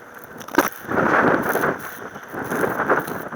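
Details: Gusty wind rumble and crackling handling noise with a sharp knock early on; no animal calls are heard.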